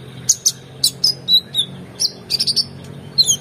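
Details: Energetic oriental magpie-robin song meant to tutor competition birds: short high whistles and slurred chips in quick clusters, several notes repeated rapidly, over a soft low hum.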